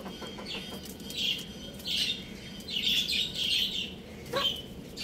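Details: Chicks and young roosters at play at home give shrill, descending peeps, some single and some in quick clusters, with short gaps between them over a faint low hum.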